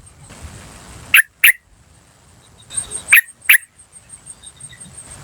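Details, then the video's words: Lure recording of a wild yellow-vented bulbul uttering 'cuk cuk' calls: two sharp clipped notes, a pause, then another pair. A faint continuous high whine and soft background rustle accompany them. "PANCINGAN TRUCUKAN BAHAN Asli Suara Alam Liar CUK CUK CUK memanggil"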